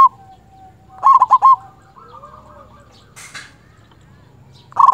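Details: Local zebra dove calling a rival: one loud, stuttering coo phrase, then soft murmured notes and a faint whistle, and a final loud burst starting at the end.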